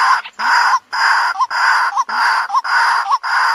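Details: White-breasted waterhen lure recording: harsh, broad croaking notes, each closing with a short upturned squeak, repeated steadily almost twice a second with brief gaps between them.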